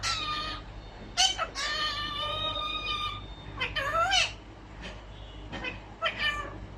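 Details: Pet albino ring-necked parakeet talking indoors: clear, tonal, speech-like phrases with sliding and rising notes, separated by short pauses, over a steady low hum.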